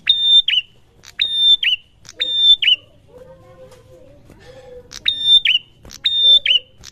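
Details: Prinia singing in reply to another prinia: short bright whistled notes near a steady high pitch, each dropping at the end, repeated about once a second in two bursts, with a low murmur of voices between them.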